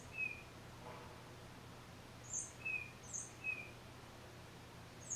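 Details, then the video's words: One tufted titmouse sings by itself, recorded on a Nikon D3500 camera: short mid-pitched whistles alternating with very high thin notes in quick pairs, a low hum underneath throughout. "1 Tufted Titmouse Solo"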